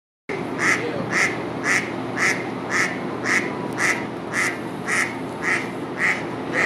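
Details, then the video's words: A mallard hen quacks steadily at Botany Pond, University of Chicago, on 8 March 2020, as mallards return to the pond. She gives about two loud nasal quacks a second in an even series over a soft background hum. "Quacking mallard hen"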